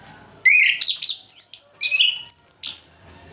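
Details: Morning ngeplong song of an orange-headed thrush, used to coax sluggish thrushes into singing: a dense, unbroken run of loud, varied high whistles, slurred upward and downward notes, and sharp chirps over about two seconds.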